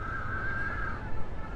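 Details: One of two large cormorant fledglings on a nest in a huge breeding colony, insistently begging food from an adult: a drawn-out, reedy, even-pitched wail lasting about a second, over heavy low rumbling wind and surf noise.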